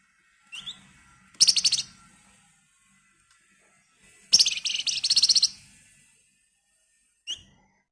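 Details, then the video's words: Flamboyan bird's excited, tightly packed screechy song, used to encourage other birds to sing: thin rising chips, a short rattling trill, then a longer buzzy high trill, ending with a single chip. "Burung Flamboyan Gacor Emosi Ngebren Rapat Nyerecet Cocok buat Pancingan"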